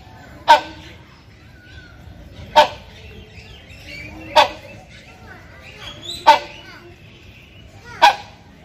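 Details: Male hornbill (Buceros) in breeding condition calling loudly to a female, giving five loud, harsh, honking barks about every two seconds, over a faint background hum.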